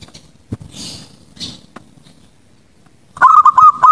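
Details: Zebra dove at night, its song played to train young birds and prompt them to sing. Faint rustling and soft taps, then near the end a loud burst of rapid, rolling cooed notes pulsing in quick succession.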